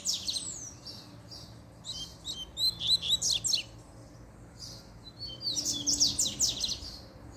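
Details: Double-collared seedeater singing excitedly after a female appears: bursts of rapid, high twittering and sweeping notes, with a quieter gap in the middle before a second dense volley.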